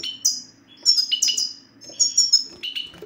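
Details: Goldfinch satsata, played to prompt silent males to sing: quick run of bright, high, falling chirps, some doubled, packed closely over three seconds, with a soft electrical hum beneath.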